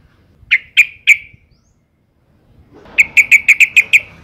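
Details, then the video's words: Female yellow-vented bulbul in breeding condition, calling males: three sharp, ringing, clipped notes spaced about a third of a second apart, a silence, then seven more of the same in a quicker, even series. "suara panggilan burung trucuk betina gacor birahi"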